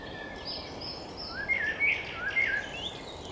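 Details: Common blackbird singing outdoors, recorded with a RODE VideoMicro microphone: short fluty, warbling phrases with quick rising and falling slurs, clearest in the second half, over a steady background hiss and faint high twittering of other birds.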